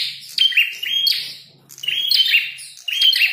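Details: Fighting red-headed prenjak (prinia) gives rapid high chirps with buzzy downslurred notes, two bursts split by a quiet gap of half a second, with a faint low electrical hum beneath.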